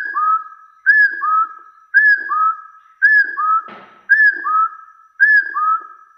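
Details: Challenge call of a hill partridge directed at rivals: paired whistles, a bright higher note dropping into a lower rising one, each pair repeated about once a second in steady rhythm.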